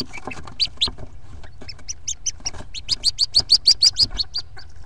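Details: A brood of 14 Hooded Merganser ducklings in a nest box on exodus day, April 2nd, 2014; scattered high chirps build into a steady run of bright, rising peeps, about three per second, over quiet background knocks.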